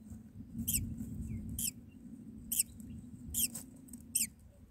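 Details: Nestling mynas begging during feeding by the mother; five harsh, hissy squeaks in an uneven series over a steady low-pitched background drone.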